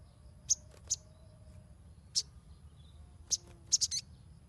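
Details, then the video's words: Sunbird sound meant to prompt young birds to sing: crisp, very high chirps, spaced singly at first, then a quick trio near the end, over faint background hum. "SOGON NYERECET !! Pancingan untuk burung bahan"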